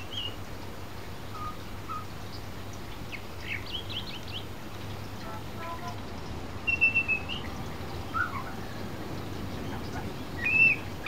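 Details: A pied butcherbird that has visited since it was a chick sits on a fence under a verandah in the rain, mimicking other sounds: a few brief, high chirps and short whistled phrases over steady rain noise and a low hum.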